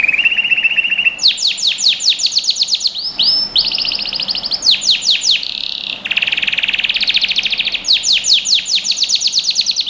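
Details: Melodious canary song used to train young birds: it opens with a low trill, breaks into rapid runs of descending notes, adds arched whistles and a dense buzzy roll, then more fast runs.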